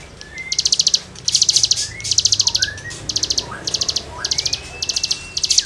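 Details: Cigun singing as tutoring material for songbirds: repeated short bursts of very high, rapid, metallic ticking, with faint softer whistled slurs from another bird in the background.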